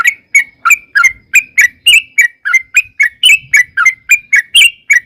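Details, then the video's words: Sooty-headed bulbul long lure song used to draw birds into answering: loud, rapid series of short bubbly whistled notes with buzzy overtones, about three notes per second, steady and continuous. "trucukan gacor TARUNG ROPEL PANJANG pancingan trucukan agar bunyi jadikan burung trucuk gacor NYAUT"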